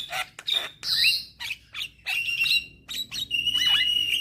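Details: Javan myna, a young bird singing energetically and nodding: rasping bursts mixed with clear whistled notes, some sliding downward, the last phrase ending in a sustained whistle.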